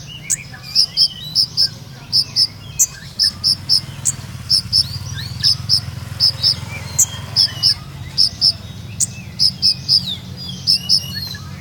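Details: Olive-backed sunbird of the Purworejo type with a melodious 'ngeroll nembak' song: long sequence of paired and tripled very high, clipped notes repeated steadily, with faint lower twitters and a low rumble beneath.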